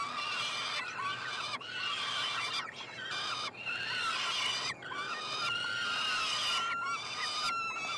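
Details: Three peregrine falcon chicks, hatched late May 2022, at a nestbox at the University of Montreal, Quebec, Canada, being fed on 21 June; harsh, harmonic wailing cries about one second long, repeated roughly eight times with brief breaks.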